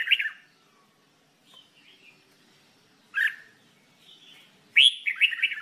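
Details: Red-whiskered bulbul under singing training: three brief clear phrases, a short whistled burst at the start, another mid-way, and a fuller warbled run at the end, with a quiet room between them.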